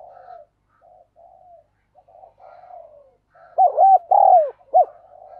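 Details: Spotted dove acting as a decoy, calling urgently for wild doves: several seconds of soft, distant-sounding coos, then a strong phrase of clipped notes, a long falling coo and a final short note.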